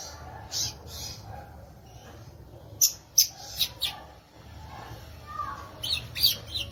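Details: Violaceous euphonia singing sparse, very high, sharp notes in small clusters, separated by pauses, with one soft lower warbled phrase near the end.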